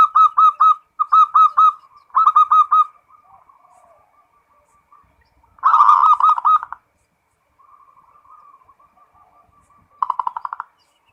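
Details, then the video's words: Full 'ngerot' song from a local zebra dove: three quick phrases of clear repeated whistled coos, soft purring trills between, and two dense rolling bursts of fast pulsed notes. "SUARA PERKUTUT FULL NGEROT"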